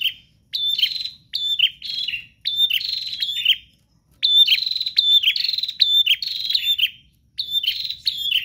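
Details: Prinia singing insistently in 'gacor' style: clustered high, buzzy chirps with sharp downward slurs in rapid phrases, some short and some several seconds long, with brief pauses.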